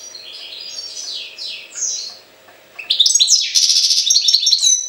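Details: European goldfinch, Jagodina, singing falling slurred whistles, a short lull, then a loud burst of rattling buzzy trills and bright tinkling twitters repeated quickly to the end.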